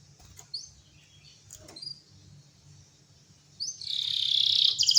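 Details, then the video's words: Canary song played to encourage other canaries to sing: a few faint, scattered high chirps, then a loud, dense buzzing trill in the final second. "جميع طيور الكناري سوف تغني بعد الاستماع إليها Canary singing"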